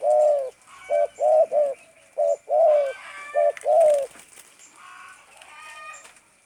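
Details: Spotted dove, a tame bird, giving a stuttering call: a run of short, mellow, slightly arched coos in quick bursts, about eight notes in four seconds, then quieter background chirps and faint higher calls.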